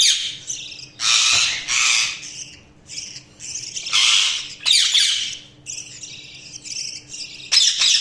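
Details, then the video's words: Budgerigar chirping comes in uneven bursts of rasping, high-pitched chatter and squeaks, with short pauses between phrases and a quiet background hum. "Budgies Sounds| Budgies Chirping sound"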